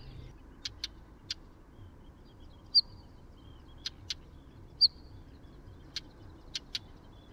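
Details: Northern wheatear giving short, sharp high whistles followed by clusters of dry, hard clicking notes, each burst spaced a second or two apart against a faint low background rumble.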